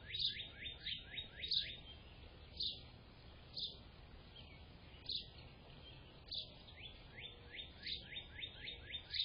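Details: Gray catbird recorded on 24 April 2025 sings a jumbled run of quick, slurred whistles and chips, bunched in fast bursts with short pauses, over steady low background hiss.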